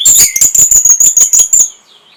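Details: Short orange-headed thrush song fragment for stimulating breeding condition: about eight loud, shrill, rasping high notes in rapid succession, fading into a faint soft whistle.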